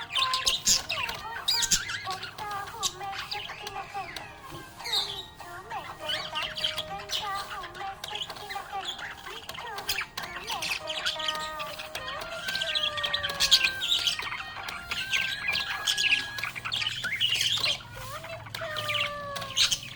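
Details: Budgerigar; chirping; contentment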